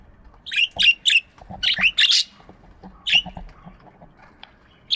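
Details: Budgies chirping in an aviary in the morning: rapid bursts of harsh, buzzy chirps and squawks in clusters, with soft low clicking beneath and a pause before a last chirp.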